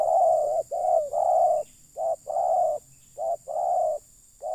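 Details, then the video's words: Loud spotted dove cooing in a lure session for wild birds: short clipped notes alternate with longer smooth coos in a steady series, the pairs spaced about a second apart. "Mikat Terkukur..ll Keren kalau Burung liar Sudah Turun"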